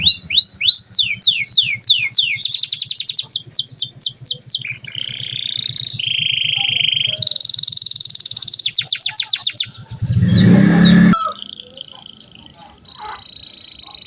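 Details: Domestic canary in full song, used to teach young canaries: rising whistles and sweeping runs alternate with buzzy and steady trills, interrupted by a short burst of broad noise.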